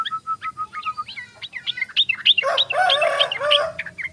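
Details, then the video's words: Tame trucukan, the sooty-headed bulbul, singing in rapid ropel style: a fast series of short, identical liquid notes, then a dense, loud, chattering jumble of bubbly phrases. "Burung Trucukan_Trucuk Ropel_Gacor Ropel_Trucuk jinak"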